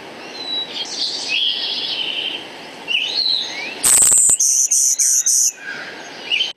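Golden-winged Warbler song: a high, insect-like bee-buzz-buzz-buzz, one buzz followed by three quick, even buzzy notes. Softer whistling birds call in the background.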